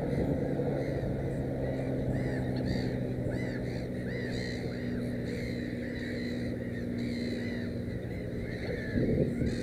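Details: Nesting Black-headed gull with three chicks calls repeatedly, rasping arched notes in irregular runs, over a constant low drone and a steady tonal hum.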